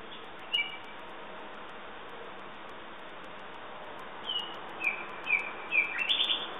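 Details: Common nightingale in song: a single sharp note, a quiet gap over background hiss, then a quickening run of clipped high whistles and rattled notes building toward the end.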